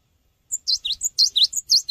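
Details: Energetic Cinereous tit song meant as a lure for training birds: after half a second of silence, crisp high notes alternate with lower V-shaped dips in a brisk, even rhythm.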